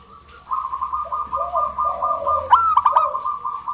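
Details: Local zebra doves in a long run of fast, evenly trilled cooing notes, recorded to encourage other zebra doves to sing. Lower softer coos overlap, and a sharper stuttered burst comes near the end.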